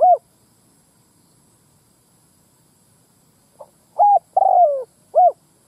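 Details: Spotted dove lure call meant to attract males and females; a brief coo ends one phrase, then after a silence a full phrase follows: soft pip, steady coo, drawn-out rough downslurred coo, clipped final coo.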